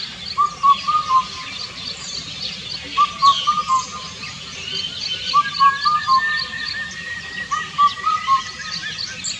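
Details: Indian cuckoo, known in Vietnam as bắt cô trói cột, singing a four-note whistled phrase with a slight drop near the end. The phrase repeats roughly every two and a half seconds, four times, with faint higher chirps from other birds and steady background hiss.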